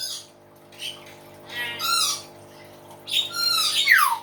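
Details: Hill myna giving a loud, varied song: buzzy harmonic phrases, a rising and falling warble, then a harsh burst ending in a steep downward whistle.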